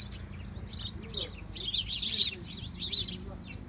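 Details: House sparrows flocking in snowfall, many quick chirps and tweets clustered together, with a low background rumble and faint lower sounds beneath the chatter.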